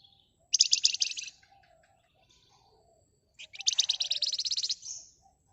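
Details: Flamboyan bird, loud and agitated, used as a lure to provoke other birds into singing, gives a dense 'ngebren' rattling style: two rapid, high-pitched chattering bursts of closely packed notes, the first short, the second about one and a half seconds long.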